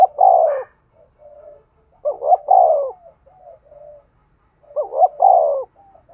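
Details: Lure call of a decoy spotted dove for bird trapping: three repeated phrases of paired rising hoots and a drawn-out, descending, mellow coo, with quieter softer coos between phrases.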